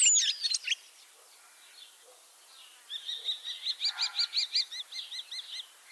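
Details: A common starling ringed in Kaunas, Lithuania and returning to Liepāja, Latvia opens with a buzzy clicking burst, pauses, then repeats about fourteen identical arched whistled notes in a fast, even series.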